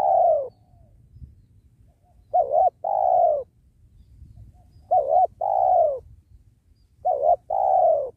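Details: Spotted dove (tekukur) of the penguku kind calling during trapping beside a sacred tree. The tail of one coo is followed by three full coos, each a brief wavering note and a longer descending purr, spaced about two and a half seconds apart.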